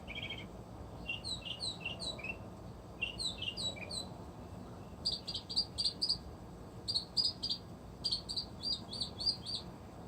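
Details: Northern mockingbird, one of many resident birds, singing outdoors at an animal refuge: varied phrases of high chirps and trills, each repeated several times in bursts before switching, over a steady low background hiss.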